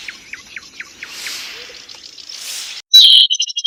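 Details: Newly caught wild zitting cisticola giving a series of brief descending high notes about every quarter second amid soft hiss, then an abrupt loud buzzy trill and clipped notes at the end.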